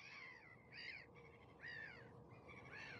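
An osprey gives short, slurred, whistled calls, about one a second, each rising then falling, over a soft steady background hiss.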